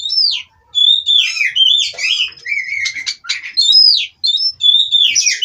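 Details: Continuous rich song from a caged Oriental magpie-robin: downslurred whistles, dense twittering and warbled slides, with only two short breaks.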